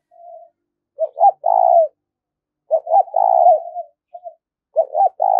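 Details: Spotted dove cooing urgently, 'thúc rút' style, as a trapping lure: three loud phrases, each two clipped notes and a long vibrating coo, roughly every two seconds, with soft coos between.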